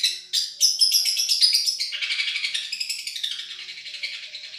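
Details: Madura long-tailed shrike singing for song tutoring: a sweet high whistled phrase over fast chatter, followed by a softer, lower run of rapid twittering notes.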